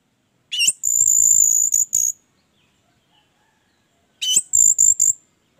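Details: Orange-headed thrush song meant to get other thrushes singing: a sharp opening note followed by a long, steady, very high thin whistle with a slight buzz, repeated after a pause as a shorter broken version.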